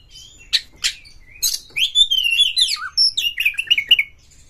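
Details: Excited Oriental magpie-robin seeking a rival to fight. Two harsh rasps open, then a long flowing phrase of slurred whistles rises and dips. It ends in a quick run of short, bouncing whistled notes.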